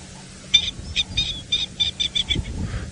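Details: Coqui Francolin call played back from an app during a sunrise safari drive, Sabi Sand, South Africa, 1 September 2017: a quick series of about eight sharp, high clucking notes over two seconds, over a low rumble of engine and ambient noise.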